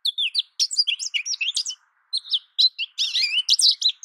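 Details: American goldfinch giving sweet, high slurred whistles and quick chirps in two bursts around a short pause, the second burst ending in a tumble of wavering, twisting notes.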